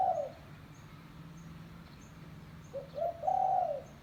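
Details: Village spotted dove calling to lure other doves. The tail of one coo is followed by a quiet gap, then stepped short notes and a long, level, hollow coo. Faint rhythmic high ticking and low hum are heard in the background.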